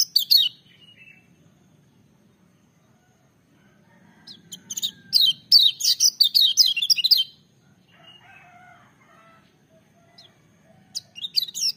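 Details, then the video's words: Lemon-bellied white-eye singing loudly. A brief high burst, a quiet stretch, then about three seconds of fast, bright, downward-sliding chirps, later soft faint whistles, ending with another short twittering burst. "Kecial Kuning joss gacor menggelegar tapi merdu"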